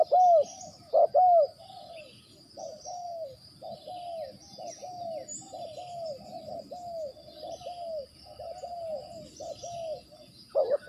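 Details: Spotted dove used as a decoy in bird trapping: loud double coos at the start and end, with a long stretch of softer, falling cooing notes between them and a faint steady high hum.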